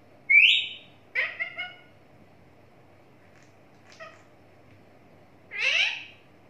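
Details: Talking parrot kept at home, giving a loud harsh squawk, a double harmonic chatter, a faint chirp, then a long loud descending squawk, with quiet gaps between.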